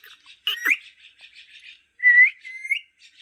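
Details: Green parrot vocalizing with soft chattering notes. These are followed by two drawn-out, rising whistles.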